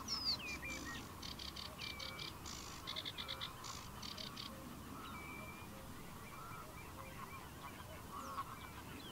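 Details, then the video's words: Reed bunting (Emberiza schoeniclus) singing in reeds during mating season after collecting bugs. It gives a short, stuttering run of buzzy chirps and thin high notes, then scattered calls, with other birds and a steady low rumble underneath. "Reed bunting (Rietgors) collecting bugs and singing in mating season"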